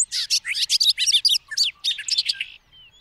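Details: Bobolink, a blackbird-family bird, delivering a fast, bubbling, jangling song of quick metallic notes tumbling over one another for two and a half seconds before stopping; quiet background.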